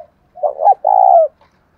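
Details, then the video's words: Single cooing phrase from a kept spotted dove in đồng thổ voice: a soft lead-in, a quick rising double note, then a loud sustained husky coo. "cu gáy giọng đồng thổ thúc rút bổi nghe cái gáy luân và ngay"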